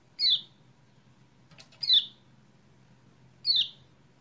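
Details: Lemon-bellied White-eye (kecial kuning) lure: three sharp, downward-slurred chirps at irregular intervals of roughly one and a half seconds over a low background hum, with a faint rustle before the second.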